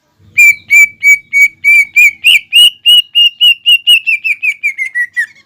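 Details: Rapid, steady series of short clear whistled notes, about three each second, rising slightly and then falling, from a green leafbird singing imitation-rich fighting material to provoke another bird.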